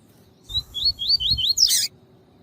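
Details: Double-collared seedeater singing the tui tui song style, used for training and warming up other males. A run of five quick slurred whistles, each rising then falling, ends in a short harsh buzzy burst.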